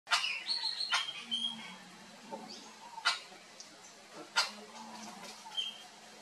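Crested oropendola giving liquid gurgles and sharp whistled notes in several bursts, alongside loud clicks and smacking sounds, with low murmuring beneath.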